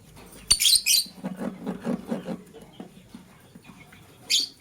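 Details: Green and blue lovebirds in the morning, scrambling for vegetables: two sharp, harsh high chirps, one early and one near the end, with a run of soft, low rhythmic knocking sounds between them.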